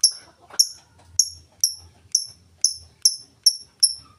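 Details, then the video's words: Ngetik-style lovebird song, plain ticking without chatter: evenly spaced, very high sharp ticks about every half second, with a low soft hum underneath. "Lovebird full ngetik cocok buat pancingan Lovebird mu!!!"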